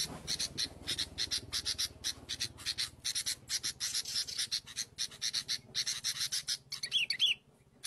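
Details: A wild sooty-headed bulbul during lure trapping gives rapid, harsh, buzzy chattering bursts, several per second, ending with a brief clear whistled note.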